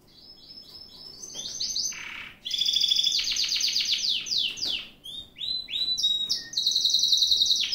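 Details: Gloster canary singing a rich, varied song: rolling trills at different pitches, buzzy rapid rolls, high sweeping whistles and a long steady high trill toward the end, loud and continuous with brief pauses.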